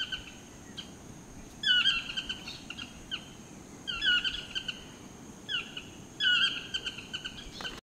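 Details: Chestnut-mandibled toucan display calling in Costa Rica, filmed hand-held with a Canon SX40H camera: loud yelping two-part notes with sliding overtones, given in bursts roughly every one to two seconds against a steady high insect hum.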